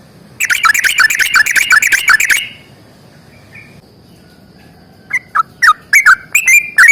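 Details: Yellow-vented bulbul in long 'ropel panjang' fighting song: a dense two-second burst of harsh, rapid warbling. After silence, separate loud slurred whistles come back at irregular intervals.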